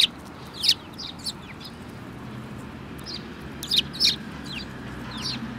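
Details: Several sparrows, including one with a yellow bill, recorded on 24 February 2018; short, sharp high chirps come in scattered bursts of two or three over a steady low background hum.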